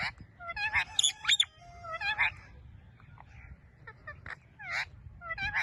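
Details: Pet ringneck parrot talking: loud, varied bursts of harmonic, voice-like syllables, some sliding up and down, others short and clipped, with pauses between phrases and a low background hum.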